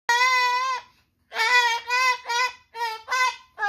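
An umbrella cockatoo gives a long, wavering, crying-like note, then five shorter nasal wails in quick succession with brief gaps, indoors.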